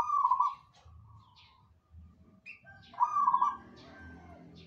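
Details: ['Perkutut (zebra dove) singing with other birds answering: two rolling trilled coo phrases three seconds apart, separated by softer trailing notes, high chirps and a brief sharp call, over a busier low background.']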